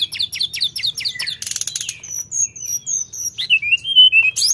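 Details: Energetic Sooty-headed bulbul song: a fast series of chirped notes, a short buzzy rattle, then clear high thin whistles repeated in a row and a long rising-falling whistled note near the end.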